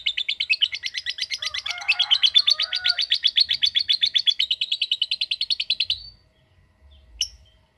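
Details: Long ngekek trill from a lovebird: a fast train of bright, buzzy high pulses running for about six seconds before stopping, followed by near silence and one faint chirp.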